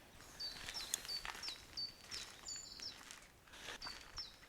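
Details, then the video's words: Common chiffchaff, an early spring migrant heard from March, singing at dawn at Smardale Nature Reserve; simple song of high, clipped two-pitch notes, about three per second, alternating slightly up and down, with faint other birds and rustling. "like the willow warbler we heard earlier, they look very, very similar, but their song is just completely different."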